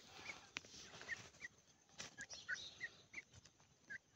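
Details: Grey francolin with chicks: short high peeps, spaced irregularly about every third of a second, over a steady hiss with a few sharp clicks.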